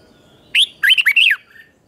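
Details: Single short chè-style phrase from a red-whiskered bulbul's morning training song, meant to stir wild-caught birds. One sharp upslurred whistle is followed by a quick run of bouncing, looping notes.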